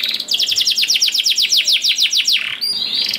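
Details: Canary singing as a lure for other canaries: a rapid, even run of short downslurred notes, roughly six per second, ending in a brief high squeak and a soft buzzy rattle.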